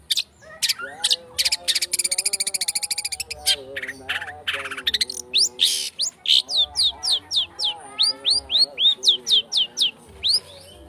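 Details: Long-tailed shrike in a lure recording used to provoke singing, in a fast, dense style: rapid high chirps and downslurred whistles repeated about four times a second, with steadier lower warbled tones running underneath.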